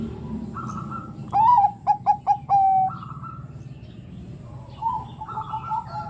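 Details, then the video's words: Singing Bangkok-type zebra dove whose 'ngerot' bekur is said to goad other doves into calling: a rising first coo, three rapid clipped notes and a prolonged final tone, surrounded by quieter dove phrases answering in the background. "Suara PERKUTUT Bangkok Gacor NGEROT super BEKUR ini paling pintar membuat Kutut Lain BUNYI emosi"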